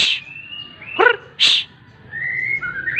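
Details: Long, pure drawn-out whistles from a white-rumped shama at morning sunning, interrupted by a rough harsh note and a hissing shush, then rising whistles.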